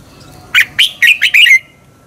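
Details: Red-whiskered bulbul double-twist song used to stir birds into competitive singing: a single quick phrase of five bright chirped notes, the last drawn into a falling slur.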